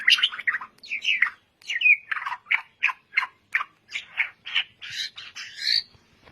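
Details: Lure recording of a white-rumped shama to prompt singing: a series of harsh, scratchy, squawk-like notes repeated roughly every third of a second, rising into higher strained phrases at the end.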